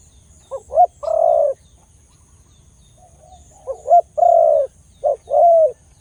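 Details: Khmer dove with a big voice gives low, hollow cooing phrases: two short rising hoots, then a longer drawn-out coo, repeated twice with a pause between.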